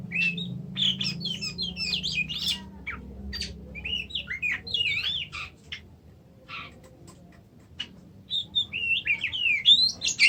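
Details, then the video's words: Oriental magpie-robin, called kacer in Indonesia, giving a varied song of whistled, rising and falling phrases and quick chirps, with a pause in the middle before the phrases resume. "kacer macet"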